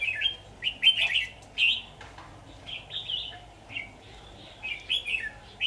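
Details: During a 23 October 2019 trapping session with a decoy bird, a red-whiskered bulbul delivers repeated cheerful warbled phrases, loud and spaced about every half second to second, against a quiet steady background hum.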